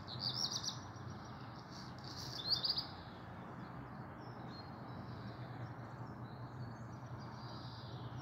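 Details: Black redstart singing on a warm sunny morning, 22 June 2022, up to 27 °C; two short, high, scratchy song phrases in the first three seconds, over a steady low rumble, possibly a leaf blower.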